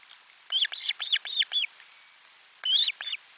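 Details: Osprey calling during lunchtime fish delivery at the nest, 12 July 2022, on live stream: a rapid string of five loud, arched whistled yelps, a short gap, then two more.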